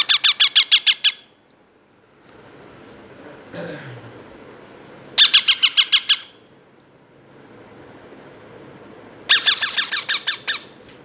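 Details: Two hand-fed baby parrots, only two months old, begging; three bursts of fast harsh rasping squawks, each about a second long, separated by quiet gaps with a soft rustle.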